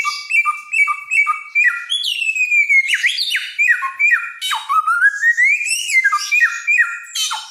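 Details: Helmeted friarbird from Nusa Tenggara, known for a loud voice and varied mimicry, delivering a varied song: quick paired whistles, then sweeping upward glides and harsh slurred notes mixed with stepped descending phrases.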